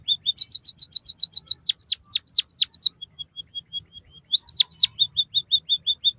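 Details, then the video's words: Song of a white-headed munia, used to stimulate and train captive birds: short level notes becoming rapid doubled chirps, five deep-falling whistles, faint even pips, two loud slurs and a closing run of short notes. "suara burung emprit kaji gacor masteran burung pipit bondol haji biar ngeroll"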